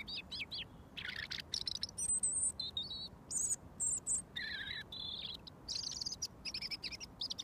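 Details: Garden robin, visited daily for over a year, singing a foot away until mealworms arrive; a steady stream of high, clear, varied phrases, some buzzy and some pure, with short gaps between them.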